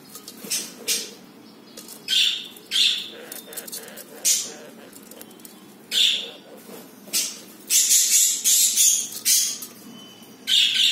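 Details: Captive budgies, a pair that laid their first egg, chatter in rapid harsh squawks and buzzy chirps, grouped in bursts with brief gaps, and a denser scratchy flurry near the end; faint indoor hum beneath.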